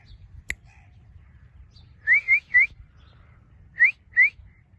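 A ringneck parrot gives five short, clear rising whistles: three quick ones, a pause, then two more. There is a single sharp click near the start.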